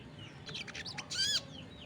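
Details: Crested jay (sogon) calling loudly, with other birds said to answer at once: a quick train of dry clicking pulses, then a short harsh buzzy burst rich in overtones, fading into a faint chirp.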